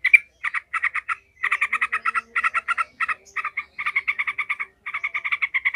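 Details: Yellow-vented bulbul in emotional 'ngekek' chatter for training other bulbuls to fight: a whistled opening note, then repeated runs of four to eight clipped harsh notes separated by short pauses.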